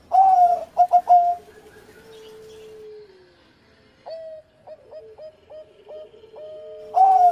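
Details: Engkel song from an ex-champion zebra dove: loud punchy coos, a long falling low note, a run of short stepped coos, then a booming rolled coo starting again.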